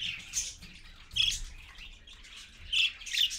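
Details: Parakeet parent and chicks at 6:20 AM: scattered scratchy squawks with a few sharp, high chirps, louder bursts near the start, middle and end separated by quieter chatter.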